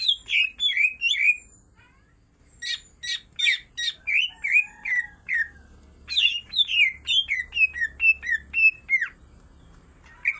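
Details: Female and male greater green leafbirds both singing hard: whistled downslurs, a pause, sharp chip bursts, then long runs of varied swooping whistled notes and squawky phrases.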